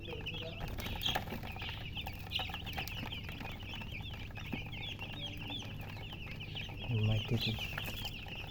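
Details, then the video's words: A group of just-born chicken chicks cheeps loudly and rapidly, about three or more high peeps each second blending into a shrill chatter, above a low hum and some thumping. "Tot Murgi chicks chirping sounds Just Born Baby Gallina FRACAS Chicks Piar Loudly Sound"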